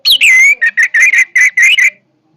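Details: Orange-headed thrush in powerful song, a falling whistle leading into a long level note, then six or so short, rich whistled phrases repeated in quick rhythm before stopping.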